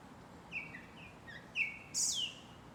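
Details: Japanese thrush at Shinano-Oiwake, Japan: a few soft whistled notes, then a bright, loud, high phrase that slurs sharply downward, heard against a quiet rural background.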